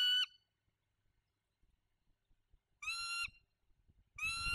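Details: Bald eagle at its nest during incubation of a single egg, November 2022, nest camera live stream: high, thin, harmonic-rich squealing calls, the first clipped at the start, two more at about three and four seconds, with faint low rustling between.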